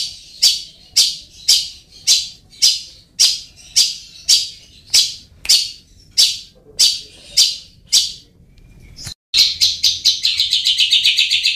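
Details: Long-tailed shrike lure for birds slow to sing: a steady run of rasping high notes about twice a second, a brief break, then a faster rattling burst of rapid notes.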